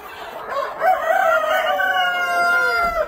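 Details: Black Copper Marans rooster on a hatchery breeding farm: a long drawn-out crow, opening with a rough rising note and holding a steady, slightly falling tone for about two seconds, little background sound.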